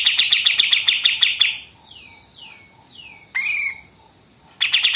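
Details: Fast staccato 'machine gun' trill from a pied triller, used in tutoring other songbirds, then three soft descending whistled slurs and a short buzzy note, before the rapid high chattering starts again.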